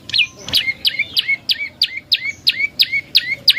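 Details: Prenjak lumut prinia used as a lure to make birds respond. Clean, fast run of about ten sharp chirps, each a high note sweeping down into a lower upturned hook, repeated about three times a second over quiet background.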